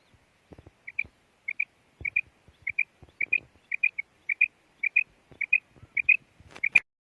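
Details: Female quail (batair) calling, the call known locally as kirak: short doubled high chirping notes repeated about every half second, with faint clicks and low knocking sounds in between.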